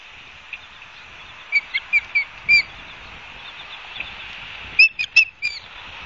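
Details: Barnegat Light ospreys in New Jersey, 12 September 2022: soft, thin whistled chirps in a quick series over a steady background hiss, then a brief louder cluster of sharp notes.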